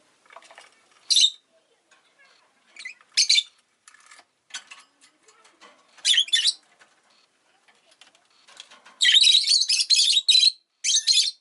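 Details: Pet rosy-faced lovebird chirping: harsh, shrill squawky bursts at irregular intervals, ending in a long run of rapid, loud screechy chirps, with quieter scratchy sounds between them.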